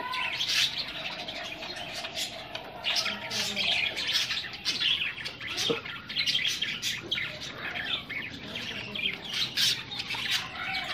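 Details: Australian budgies in an aggressive encounter keep up an unbroken stream of rapid, buzzy chirps and warbles. The chatter is punctuated by crisp clicks, and one low thud comes near the middle.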